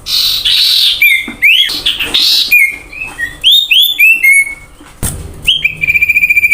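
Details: Common iora song played as a lure to prompt birds into singing: a rich run of bright whistles, upslurred and falling notes, buzzy rasps, then a fast repeated trill at the end.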